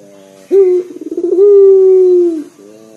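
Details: One complete coo by a loud-voiced local collared dove kept to coax others into singing: an abrupt rising onset, a trill of rapid throbs, then a long even note that slowly fades, framed by faint low murmuring.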